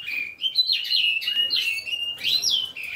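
A Reichenow's seedeater and Eurasian bullfinch hybrid sings a continuous, high, warbling song of sliding whistled notes and quick twitters, without pause.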